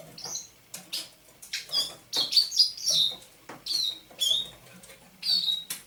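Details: Quieter dawn phrases from a captive thrush nightingale caught near St Petersburg in May 2019, recorded on 27 November 2021: scattered dry clicks leading into a cluster of quick, high, sliding whistles.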